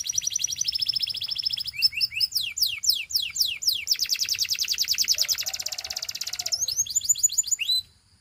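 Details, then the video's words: A Gloster canary sings to get other canaries singing: a fast, continuous song of high trills and rolls, shifting every second or two between buzzy tours and rapid down-slurred notes. "Gloster Canary Seducing Friends to Sing!"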